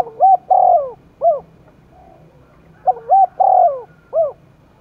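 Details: Spotted dove in the forested hills of Dong Nai, roused for a cooing contest, repeating a soft low phrase of two short coos, a longer coo and a final falling note, the phrase given twice over a faint background hum.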